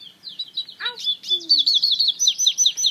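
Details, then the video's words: African citril mule, a hybrid cagebird, singing high chirps that run into a fast, bright twittering trill, with a few lower descending whistled notes midway. "Africa citril mule"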